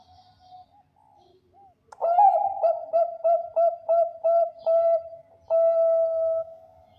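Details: Champion Bangkok-type zebra dove singing to lure other zebra doves: a few soft, quiet coos, then a loud run of about eight clipped, bubbling coos ending in one long, steady, drawn-out note.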